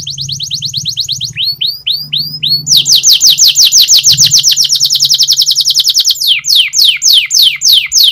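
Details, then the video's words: Canary singing a training song: a rapid trill, a few slow rising slurs, then a long loud run of fast descending notes and wider sweeping whistles, with a low hum. "Singing of canary_Training song canary//kenari gacor_setingan kenari//تدريب الكناري"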